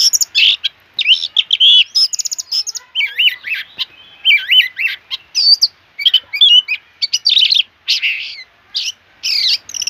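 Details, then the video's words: Oriental magpie-robin singing loudly and vigorously: quick bursts of varied whistles, wavering up-and-down warbled phrases, and sharp chattering notes with short pauses between, in a clean recording without other sounds. "kacer Gacor dor"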